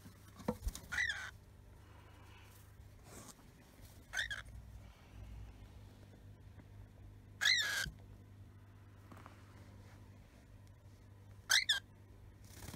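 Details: Female lutino cockatiel chick kept in a glass tank, early in the morning as the bath towel covering it is lifted. It gives a few short, rising screechy calls, spaced seconds apart, over a steady low indoor hum.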